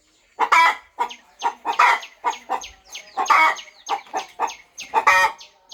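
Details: Devoted mother hen in a quiet farm corner, settling on her nest and turning eggs before they hatch; a steady run of short raspy clucks, roughly two per second, with a few louder drawn-out notes and faint high chirps.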